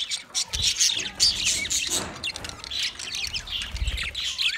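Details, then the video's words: Twenty budgie pairs chirp together in a steady, high warbling chorus of raspy notes and quick squeaks, some rising and falling, with occasional low bumps in the background. "10 minutes 20 Budgie pairs chirping sounds | Beautiful parrot singing"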